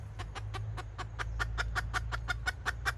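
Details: Kataak clucking by a red junglefowl decoy hen, 2024: a steady, accelerating string of about fifteen crisp clucks in three seconds, growing louder, over a low rumble.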